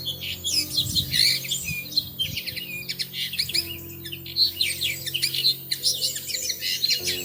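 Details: A pair of Bushtits nesting in plum tree branches in early May, seen at treetop level from a living room window; dense, high twittering and chattering notes in busy bursts, with steady background music tones underneath.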